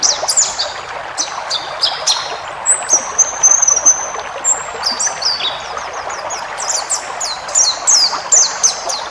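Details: White-eye song for training caged birds: sharp high chips, then a run of long thin level whistles, ending in quick repeated downslurred notes, with background hiss.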